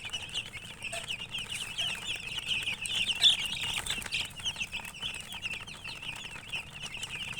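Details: Chicks of domestic chicken calling in a crowd, rapid high peeps, more than three per second, tumbling over each other in a steady stream, one louder chirp near the middle, soft low hum behind.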